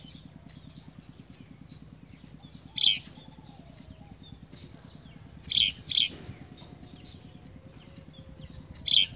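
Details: Baby house sparrow fed a big blue caterpillar, begging with loud, sharp chirps, some doubled in quick pairs, at irregular intervals; a steady fine high ticking runs underneath throughout.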